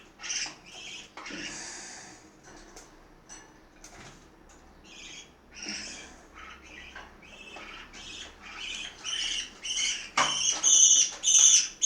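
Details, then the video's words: Parakeets feeding at mealtime in Itaim Paulista, São Paulo state, Brazil, with scattered overlapping chatter and scratchy notes that build into a loud burst of rasping squawks near the end. "Periquitos do Itaim Paulista - SP - Hora da refeição"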